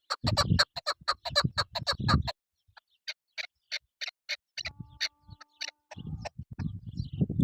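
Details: Chukar partridge calling: a fast run of sharp, dry clucking notes, then a brief pause and a slower, spaced series of clicks, with low rumbling background noise during the louder bursts.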